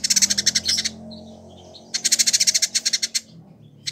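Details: Village indigobird (Vidua chalybeata), caged in Bandung, West Java, Indonesia, a year-kept tutor bird in full song. Rapid rattling volleys of dry buzzy notes, about a dozen per burst, separated by a short silence.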